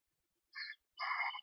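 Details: Screech owlets one to two days old, chirping in a nest box while their mother feeds them. One brief raspy note is followed by a longer, hoarse, hissing-like burst.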